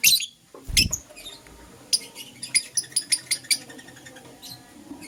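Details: Green Personata and yellow pastel pied lovebirds in the morning give short, sharp, squeaky chirps, a loud burst at the start, then a quick run of clipped notes after a dull thud.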